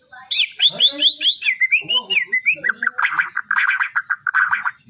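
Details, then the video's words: White-rumped shama song used as a lure to provoke other birds into replying: loud, rapid run of clear rising and falling whistles and slurred notes, then a chattering, buzzy series of short repeated notes, closely packed throughout. "Suara Burung Murai Bawel Baceprot utk pancingan langsung nyaut"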